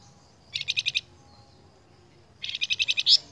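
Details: Flamboyan bird singing briskly as a lure for cage birds: two bursts of evenly spaced buzzy pulses, five then about nine, ending in a sharp high note.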